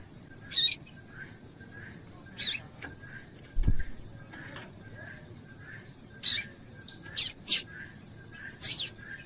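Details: A female Double-collared Seedeater's call, used to excite males into singing, gives about six brief, sharp high chirps at uneven intervals, over faint repeated softer notes and one dull thump.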